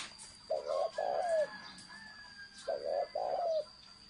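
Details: Spotted dove giving the "thổ sấm" style of cooing: two mellow, low cooing phrases, each a short double note followed by a longer, slightly falling coo, separated by a pause of about a second.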